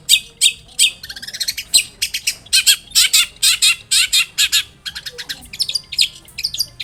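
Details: Long-tailed shrike song used to coax an answer: a lively mix of harsh chatters, rapid trills and varied squeaky notes in close succession.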